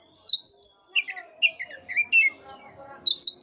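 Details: Song of an Oriental magpie-robin, used to spur a sluggish caged bird into singing: a fast series of bright, clear whistled notes that slide up and down, about a dozen short syllables with brief pauses between them.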